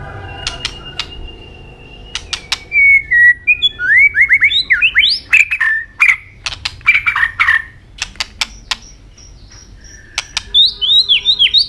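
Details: Asian robin in varied song: sharp clicks lead into a long run of slurred, rising and falling whistled phrases, some with squeaky high notes, delivered in quick bursts.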